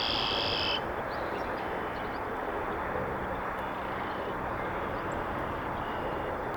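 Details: A North American Red-winged Blackbird marking its territory on the edge of a beaver pond in the northern USA gives one brief, buzzy, high trill, then a steady rushing hiss of wind or water fills the rest.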